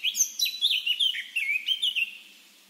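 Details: A free-living Eurasian blackcap, from a garden in Oise, France, gives a rich, fast warble of clear, fluty, varied notes for about two seconds, then falls quiet; no other sounds stand out.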